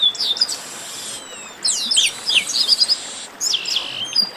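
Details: Chestnut-capped blackbird 'baderna', a noisy group chorus of high buzzy phrases and sharp downslurred whistles overlapping in bursts, separated by brief lulls.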